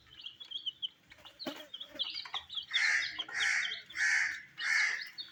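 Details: Colored baby chicks eating wheat: after faint clatter and soft peeps, four loud, full chirps ring out in a steady series, about one every half second.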